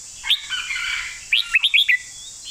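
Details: Red-whiskered bulbul master song: one sharp whistle, then a fast clear phrase of about five rising and falling whistled notes, with a steady high hiss in the background.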